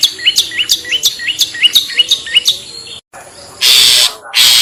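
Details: Long-tailed shrike 'toet toet' lure sound for attracting other shrikes: a steady series of clipped, rising chirps about three per second, then two loud broad rasping bursts.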